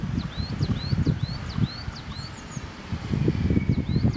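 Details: A coal tit singing in the Netherlands in January 2016, with thin, high, rising two-note phrases repeated rapidly several times a second, over heavy low rustling and rumble.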